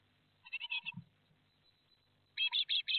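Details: Great tits fledging at a nest in Théding on 12 May 2021; a soft run of scratchy notes and a thud, then a loud closing series of four strong, rasping chirps.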